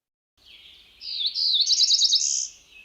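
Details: A Cerulean warbler, a breeder in the region, sings a few high buzzy notes that speed into a rapid buzzy trill, ending on a thin rising buzz.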